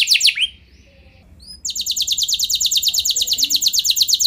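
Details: Canary lure song for getting other canaries to sing: brief high notes and an upward slur, a short gap, then a very fast, even rolling trill of high clipped notes.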